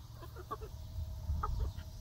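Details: Young laying hens on their first day in a new backyard run give a few soft, short clucks over heavy low-frequency rumble.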